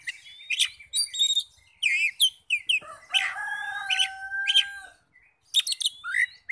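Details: Oriental magpie-robin lure song for provoking nearby magpie-robins: quick twittering whistles and downslurred notes, a long flat drawn-out tone in the middle, then sharp chips resume.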